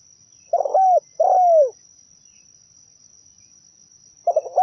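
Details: Zebra dove lure song: a few quick clipped notes lead into a smooth descending coo, and a new phrase begins at the end. A constant thin high whine runs underneath.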